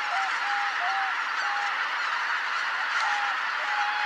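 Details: A greater white-fronted goose flock coming in to roost at Kotomonuma pond, Japan, at dusk on 13 October 2019: a constant wash of massed calling, with clearer drawn-out honks every half second or so.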